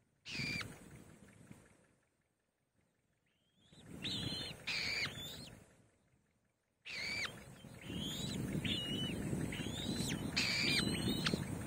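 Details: White-tailed Kite chicks crying for food on seeing their mother: thin whistled calls that rise then drop sharply, repeated in quick series, interrupted by loud bursts of rustling and wind-like noise.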